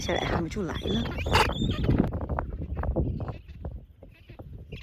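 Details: Gentoo penguin colony with mostly fluffy chicks on Pebble Island, Falklands, 2024, giving harsh braying calls, with people talking in Chinese close by.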